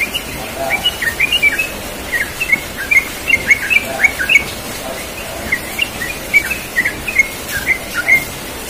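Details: A yellow-vented bulbul sings a long, relaxed ropel song in the morning. Continuous strings of bubbly, warbled chirps run almost without a break for eight seconds above a faint background hiss.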